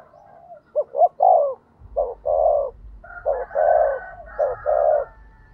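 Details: Spotted dove used as a decoy to provoke other doves to coo, giving soft, low hooting coos in short grouped phrases, two phrases of several notes each.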